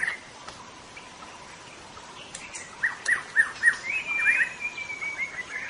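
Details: White-rumped shama song, very lively: after a quiet start, a series of short bright whistled notes repeated roughly three times a second, then a higher, longer sweeping phrase, over faint background noise.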